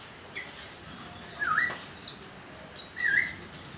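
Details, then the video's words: Juvenile speckled sunbird (konin) practising its song: two brief, bright, slurred chirps about a second and a half apart, with faint high ticking notes between them over steady background hiss. "Burung konin trotol belajar bunyi"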